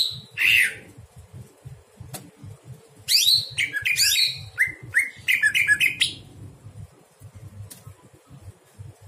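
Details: A greater green leafbird at night gives bright, varied whistled phrases and rapid chattering notes in quick bursts, with a low hum and soft background noise. The recording is used as song-training material.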